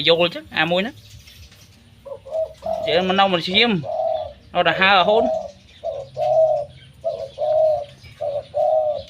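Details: A dove for sale, described as loud and calling all day long, gives short low coos between bursts of a man's Khmer speech, ending with a series of six evenly spaced soft coo notes.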